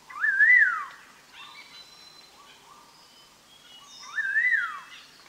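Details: {'caption': 'Song of the collared laughingthrush, a recording meant for trapping: a clear whistled phrase that swoops up and falls away, repeated after about four seconds. Faint high chirps fill the gap between the phrases.'}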